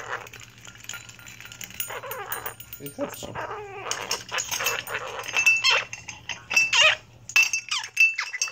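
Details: Pet blue-crowned conure having a loud fit indoors: chattering, harmonic squawks grow louder and harsher towards the end, ending in sharp, high squeals, with a woman's voice talking to the bird.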